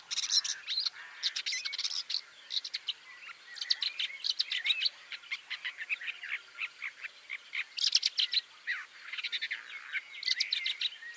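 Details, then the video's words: Woodchat shrike, Lanius senator, giving a sustained, rapid, scratchy chatter of clicks and short squeaky notes, mixed with brief whistled phrases, with almost no pause. "THE WOODCHAT SHRIKE (Lanius Senator)"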